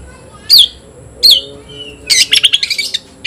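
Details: Oriental magpie-robin answering an opponent: two separate sharp downslurred whistles about a second apart, then a rapid stuttering burst of buzzy, harsh notes.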